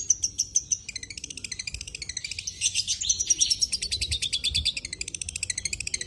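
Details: Long-tailed shrike singing energetically with full fill-in phrases, a dense, rapid stream of high chattering and ticking notes with thin whistled slides woven through, continuous for six seconds.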